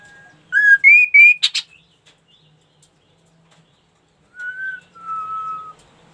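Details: Ashy tailorbird singing actively: a quick series of clear, rising whistled notes followed by a short buzzy burst, silence, then two steady, slightly falling whistles held for about half a second each.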